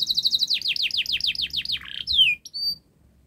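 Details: Canary song fragment, part of a recording used to get silent canaries singing: a fast high trill turning into repeated downward-sweeping notes, a brief rough note and two thin whistled slurs, then quiet.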